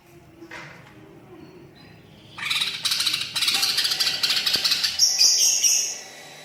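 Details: Cucak ijo, the greater green leafbird, singing a song stuffed with imitations: faint notes at first, then dense pulses of fast, harsh high chatter, ending in a thin high whistle.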